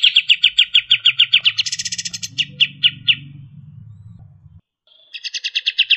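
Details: Striated grassbird, kapas tembak, singing 'tembakan' bursts at speed: a run of clipped, evenly spaced high notes, a brief shriller flourish, slower notes, then a fresh rapid series after a gap, over a low hum.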